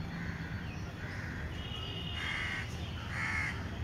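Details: Indian grey hornbill calls on a home lawn during lockdown, as the chicks leave the nest: four drawn-out, harmonic squealing notes, the later two louder and longer, over a steady low rumble of background noise.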